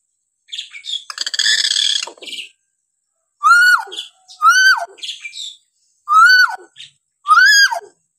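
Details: Hill myna calling, used as a training model for young or quiet mynas: a harsh buzzy rattle first, then four loud arched whistles, each rising then dropping sharply, about a second apart.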